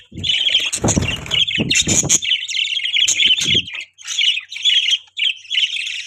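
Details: Budgerigars kept as pets giving continuous high warbling chatter, a dense run of scratchy, buzzy chirps with brief pauses, mixed with a few low thumps and rustles early on.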